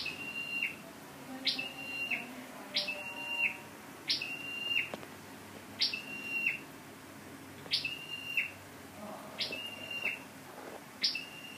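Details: Scarlet-backed flowerpecker used as a decoy for Fire-breasted flowerpecker on 12/10/14, giving high, thin, sharp calls, each a quick upward flick ending in a short level whistle, repeated about every one and a half seconds.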